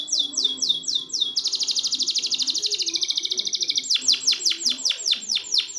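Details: Canary song for training canaries that won't sing: descending sweeps, a long fast buzzy trill, then loud repeated falling swept notes.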